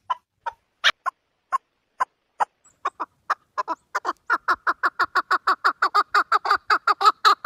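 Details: Partridge call series starting with widely spaced single clucks, then speeding into a steady, rapid string of rasping notes that grows louder toward the end.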